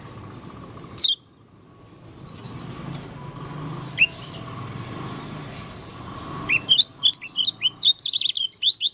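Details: Oriental white-eye from Lombok giving an odd song: a few isolated high chirps, then a fast burst of sharp twittering notes near the end, with a low rumbling background hum.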